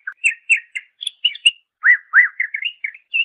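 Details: Master song of a greater green leafbird for tutoring songbirds: dense, lively whistles and chirps follow one another without a break, with two lower, swooping slurred notes near the middle and high sharp ticks above, against a silent background.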